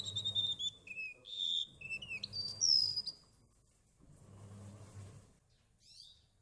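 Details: Golden-bellied gerygone (remetuk laut) singing a three-second string of bright, high, sliding whistled notes that ends abruptly, followed by quiet with a faint low repeated hum.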